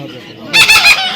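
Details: Baby parrot letting out a single short, loud, grating squawk while a person calls to it to come.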